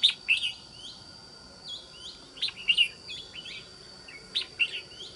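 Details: Red-whiskered bulbul, a wild-caught decoy bird for trapping with a fine island-forest voice; quick, bright whistled and chirped phrases, loud and repeated in bursts about every second, over a faint steady hiss.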